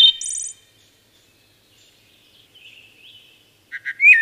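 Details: A wood thrush gives a brief high trill, then faint soft warbling during a long lull. Two short low notes and a rising flutey whistle start a new phrase at the end.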